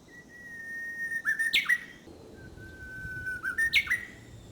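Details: Japanese bush warbler singing in early summer: two full songs, each a long steady whistle near one pitch followed by a quick rising-then-dropping flourish, ho-hokekyo style, with faint background hiss.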